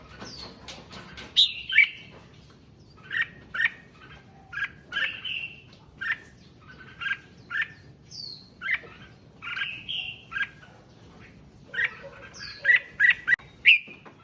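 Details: Red-whiskered bulbul song used to stir up other bulbuls: scattered whistled chirps and short slurred phrases, spaced irregularly, with a faster burst of sharp notes near the end.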